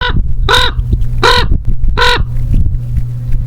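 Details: Black crow flying in and calling: three harsh, nasal caws with a slightly arched pitch, spaced about three quarters of a second apart, over a steady low hum.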